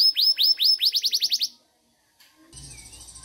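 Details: Local canary singing a fast trill of about ten bright, downward-swept notes, quickening toward the end, followed by a pause and then a steady background hum with faint music.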